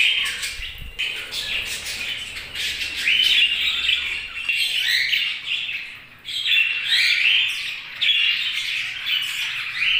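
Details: Budgerigar flock chirping: sustained high, raspy warbles and squeaky chirps, dipping briefly into a quieter pause midway before the chatter resumes.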